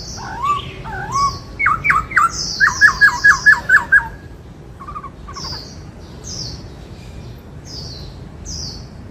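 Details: Song of a kept white-cheeked laughingthrush in the 'bắt cô trói cột' style: warbling notes, then a rapid burst of about eight clipped whistled notes, followed by quieter passages while high chirps from other birds repeat every second or so.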